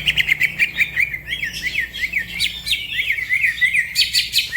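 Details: A green leafbird pours out a fast, busy song said to set other birds off; rapid, evenly spaced chirps about three a second, slurred up and down, with higher squeaky notes near the end.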